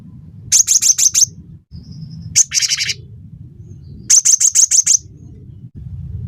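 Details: A cinereous tit used as a tutor voice for songbirds and to lure them into song: two fast runs of six high ringing whistles, separated by a single note and a harsh buzzy chatter, over low background hum.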